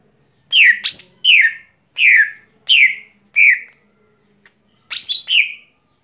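Lesser green leafbird giving loud, clear notes that slur downward, some opening with sharp upward flicks. About eight phrases come in uneven bursts over six seconds, with a faint low hum behind.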